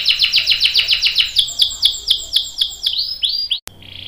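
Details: Canary singing, a long roll to encourage other canaries to sing: a quick series of repeated downward-sweeping notes that slow down, ending with a few rising whistles and a click.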